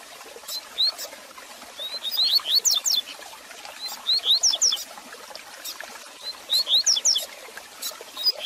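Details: Double-collared seedeater song used to warm up and train a kept bird: four or more bursts of fast, ringing, slurred high whistles repeated every two seconds or so, with soft crackling noise between.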